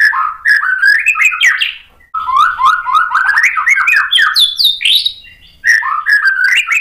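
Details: White-rumped shama in full provoking song, used to stir other shamas to answer: a dense, continuous stream of varied warbles, chirps and rising whistles, broken by two short pauses.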